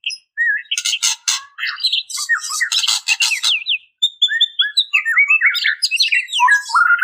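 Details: Female white-rumped shama calling to males, used as a lure to draw males in: a lively run of varied whistled slurs, some rising and some falling, mixed with harsh buzzy rasping bursts, with short pauses between phrases.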